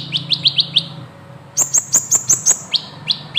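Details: Van Hasselt's sunbird, the kolibri ninja, sings: five rapid falling chirps, a short gap, then a string of very high, sharp notes about five per second and a few spaced slurred tweets.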